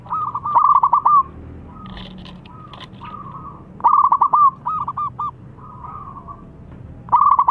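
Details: Local zebra dove in full voice, long song to stimulate birds slow to sing; three loud bursts of fast pulsed coos spaced about three seconds apart, softer cooing phrases between, with a few higher chirps from other birds.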